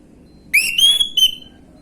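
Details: Orange-headed thrush lure song, gamblingan style: a strong whistle climbing in pitch, a brief pause, then a short clipped note, clean against faint background hum.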